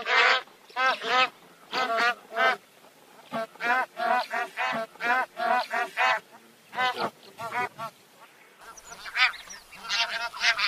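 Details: Bar-headed geese honking in a steady stream of nasal calls, many birds overlapping in quick succession, with a short quieter pause before more honks.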